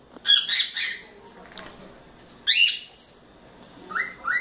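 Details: Young pet cockatiel, a four-month-old male, playing in its playground with a swing, gives three short bursts of whistled, rising and falling calls with bright harmonics, separated by quiet pauses.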